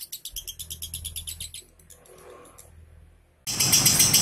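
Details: Lovebird ngunci song used to prompt a lazy lovebird to sing: a quick series of high chirps for about a second and a half, a quiet gap, then a loud, dense burst of rapid chirping.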